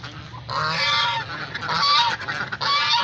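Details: Domestic geese (Anser anser domesticus) being fed at home, with ducks: loud, harsh, nasal honks roughly one per second, overlapping in a noisy continuous chorus.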